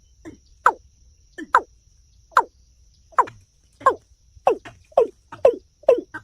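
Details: Watercock calling in a series of short hollow notes. Each note slides downward, and the notes come at uneven gaps of about half a second to a second. A faint steady hum runs underneath.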